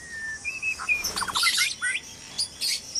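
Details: White-rumped shamas calling noisily in a breeding cage at dawn: a few level whistled notes, then a quick stuttering series of short chips and high, harsh, chattering bursts.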